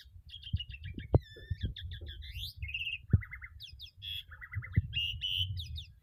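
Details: Starling singing a varied medley of whistles, short trills and buzzy phrases, with frequent changes of pitch, over low background thumps and handling noise.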